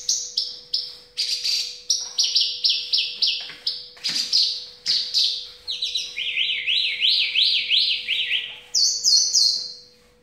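A bush lark sings a fast, varied stream of high sweeping whistles, buzzy trills and repeated slurred notes, changing phrase every second or so, over a faint steady hum.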